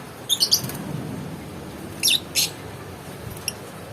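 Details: A lovebird gives a quick run of three high chirps, then two short, harsh squeaky notes a moment later and one faint final chirp, against a soft background hiss.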